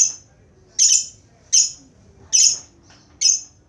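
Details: Lovebird uttering short, piercing shrill chirps, five in under four seconds at fairly regular intervals, with low background hum.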